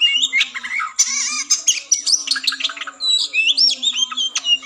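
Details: Oriental magpie-robin (kacer) giving fighting song (tarung ngobra), used to raise breeding drive in a contest bird before competition: varied, rich whistles, harsh buzzy notes and quick chattering trills, with a faint low tone throughout.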